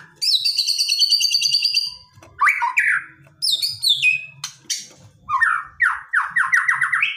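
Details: Aggressive song of a white-rumped shama meant to rouse a quiet bird into singing; a buzzy high rattle, then scratchy phrases and a fast run of repeated rising whistled notes.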